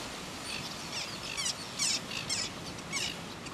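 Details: Red-billed gull with its mate at Ruamahunga, New Zealand, 18 October 2015: a scatter of sharp, high, scratchy calls in quick uneven bursts over a steady hiss of outdoor noise.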